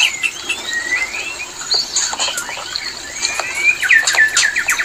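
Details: White-rumped shama mating song used as a lure to bring birds into breeding condition; varied short whistled slurs rising and falling, mixed with dry clicks and chattering notes, busier with sharp downward whistles near the end.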